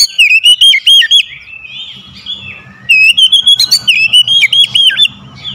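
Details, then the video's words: Magpie-robin song used to call unwilling kacer into song: strong whistled phrases with quick warbling undulations, broken by a quieter stretch of soft chatter, then another loud run of rapid, rolling whistled notes. "KACER PEMIKAT KACER MALAS BUNYI LANGSUNG TERPANGGIL IKUT GACOR"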